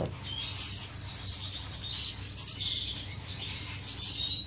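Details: Finches courting inside an aviary, recorded 10 May 2015: continuous high chattering and twittering song with rapid buzzy trills and thin whistled notes, several birds overlapping, low hum in background.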